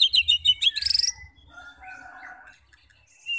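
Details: High twittering bursts and a rapid trill from a White-rumped shama, followed by faint warbling and a soft high note. The song is used to set fighter birds singing.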